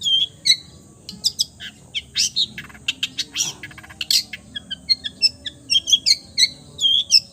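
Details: Long-tailed shrike singing a full repertoire that imitates many kinds of birds: a rapid, varied string of high chirps, sharp clicks and whistled slurs, packed closely together with almost no pause.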